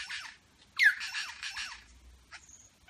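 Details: Superb lyrebird mimicking birds in Berowra Valley National Park. A sharp descending squawk leads into a rapid, rasping chatter repeated several times, followed by a short high note.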